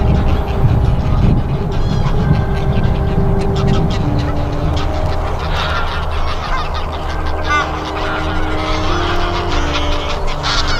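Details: Geese on snowy December fields by the Kromme Rijn, the Netherlands, honk and cackle over a steady low rumble, the nasal calls overlapping from several birds.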